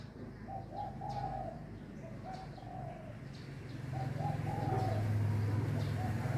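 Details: Several doves calling close together to greet the new day of the year: repeated soft coo phrases, a few notes each, recurring every second or two, while a low engine-like rumble swells toward the end.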